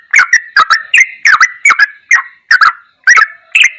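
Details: Ropelan goklikan song of a sooty-headed bulbul, recorded as tutor material: clipped, gurgling phrases with crisp clicking attacks, delivered in quick pairs with brief pauses between them.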